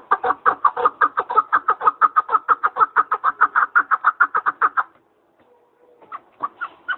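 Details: Partridge giving a rapid, even run of harsh, cackling chuck notes for about five seconds, then a short quiet pause before a few more scattered clucks.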